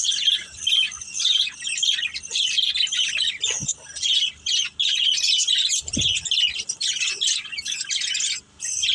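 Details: Budgies kept as a family flock, chirping and squawking together in dense high chatter, broken by a couple of short gaps and soft low knocks.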